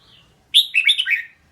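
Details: Single song phrase from a red-whiskered bulbul: a loud clear opening note, then a rapid run of rolling, slurred whistles that step lower, following a faint thin note at the start.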